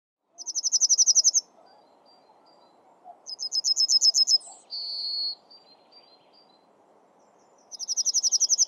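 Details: Yellowhammer, Sweden's Närke provincial bird, singing: rapid high dry trills of about ten evenly spaced notes, some ending in a longer buzzy drawn-out note, repeated every few seconds over a soft low background hiss.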